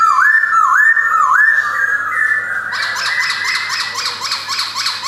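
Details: A white-cheeked male Black-throated laughingthrush, caged in Yogyakarta, 2021, sings three looping whistles and a held note, then shifts into a rapid harsh, raspy chatter.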